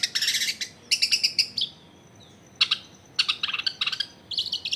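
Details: Long-tailed shrike in full, active song, used as a lure to get reluctant shrikes singing, recorded at a home in a crowded neighbourhood: harsh, buzzy, chattering bursts in dense clusters, separated by short pauses.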